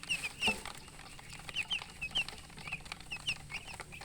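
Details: Chicken chicks chirping: short, high, downward-sliding peeps in small clusters of two or three, separated by brief pauses, over a faint hissing background.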